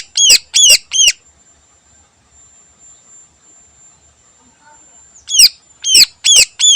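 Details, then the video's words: Greater green leafbird (cucak ijo) singing vigorously in the morning in a full-isian style. A burst of three loud, harsh downslurred notes is followed by about four seconds of near silence with a steady faint high tone, then four more harsh notes. "Burung Cucak Ijo Full Isian Istimewa Gacor Pagi Hari"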